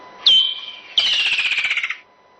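Woodland Kingfisher: one high, piercing note, then a fast descending trill of rapid stuttering notes, like laughter.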